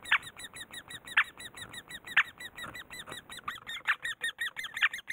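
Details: Great spotted woodpecker while raising young: a quick series of short, hooked, squeaky notes repeated steadily, with a sharper, louder squeak standing out about once a second.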